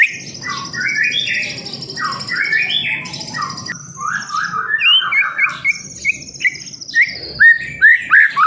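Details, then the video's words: Juvenile speckled white-rumped shama song used to encourage other birds to sing: dense chattering, scratchy phrases under a high trilling thread, then loud separate whistled slurs and sweeping notes repeated about once a second toward the end. "Pancingan murai batu Trotol"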